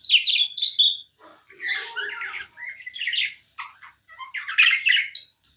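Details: Tamed pet budgerigar chirping non-stop: quick, scratchy warbled chirps and short whistled notes, high-pitched and tumbling over each other in bursts with brief pauses, no other sounds.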